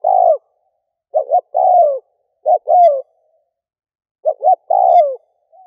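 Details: Decoy spotted dove calling to attract other doves: repeated coo phrases, each a quick double note followed by a sustained, downward-sliding coo, phrases about a second apart over a silent background.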